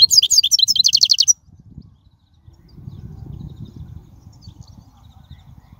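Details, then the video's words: European goldfinch in the wild singing, played to teach young birds, a rapid run of sharp high twittering notes lasting over a second, then quiet low background rumble. "من أقوى اغاني | طائر الحسون | البرية"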